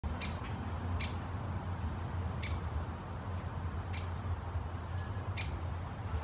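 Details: Great spotted woodpecker foraging in a birch canopy in Helsinki, Finland, August 2024, before taking off, gives five sharp, high 'kik' notes about one per second over a steady low rumble of wind or distant traffic.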